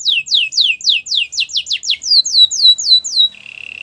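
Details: Powerful song of a Belgian canary: about fifteen bright descending whistled sweeps in quick succession, closing with a short low buzzy trill.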